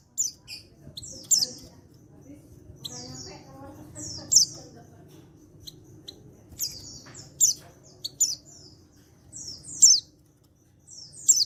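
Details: Untrained male white-eye from Pacitan, recorded 14/10/22, giving calls to draw answers from other white-eyes: a lively series of very high chirps and short trills, roughly a dozen bursts, with faint low background noise.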